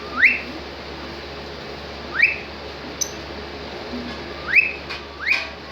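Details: Cockatiel described as being in a happy mode. It repeats a bright rising whistle four times, the last two close together. Faint clicks sound in between over a quiet indoor hum.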